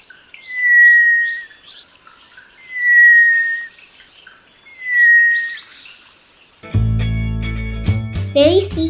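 A Sri Lanka Thrush gives three long, thin whistles, each drawn out and gently falling, spaced about two seconds apart; music takes over at the end.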